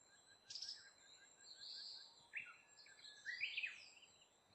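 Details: Brown-eared bulbul coming to eat fruit: shrill, harsh calls, a burst near the start, a drawn-out screech, then sharp rising notes, over faint chirps and a steady high hiss.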